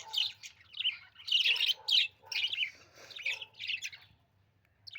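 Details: Pet budgie giving quick chirps and scratchy squawk-like notes in uneven bursts, fading to quiet near the end, over a soft low hum.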